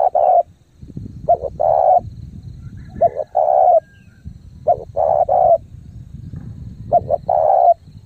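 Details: Spotted dove kept as a lure, cooing fast in thúc gù style. Short double notes are followed by a long steady coo, repeated about every two seconds with continuous low rumbling noise underneath.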